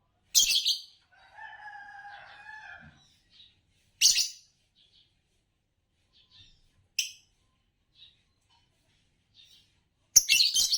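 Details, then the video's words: Loud scratchy chirps from a green Fischer's lovebird of competition-winning stock, separated by quieter pauses, with a steady pair of softer whistled tones early on and brief clicks scattered between bursts. "Spectacular Chirps from World Champions - Lovebirds Chirping Sounds"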